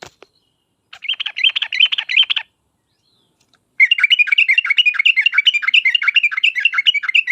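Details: Yellow-vented bulbul in lively song to draw replies from other birds: a rapid chattering phrase, a short pause, then a longer and even busier burst of rolling notes.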